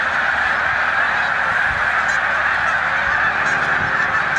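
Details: Snow geese gathered in a corn field near Savannah, New York, 14 March 2020, among resident Canada geese before heading to the Canadian tundra; a constant din of overlapping honks with occasional low thumps.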